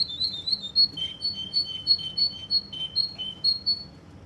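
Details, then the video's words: Russian canary from Kuwait alternating two high pitches in a bouncy, rhythmic pattern. Each short note pair repeats about three times a second in a steady, chattering trill. "Russian canary from Kuwait"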